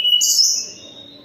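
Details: Singing despite its moult, a Sunda robin utters a quick whistle leading into a higher rasping note that gradually fades.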